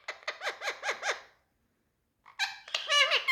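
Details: Talking parrot from India giving five evenly spaced, down-slurred harsh notes, then a second of silence, then a louder tumbling run of grating squawks.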